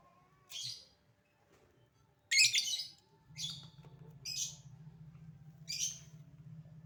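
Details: Calling lovebird, used to provoke other lovebirds into responding: scattered raspy squawks about once a second, one louder and grittier, over a steady low mechanical hum.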